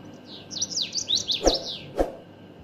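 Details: Common waxbill singing live: a quick run of high, thin chirps and short slurred notes that sweep up and down, with two sharp clicks near the end against a faint room hum.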